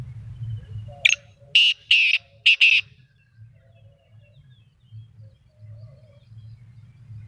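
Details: Black francolin calling in the morning in Pakistan: a harsh, scratchy phrase of four short, loud, rasping notes in about two seconds, the last two close together, over low background rumble.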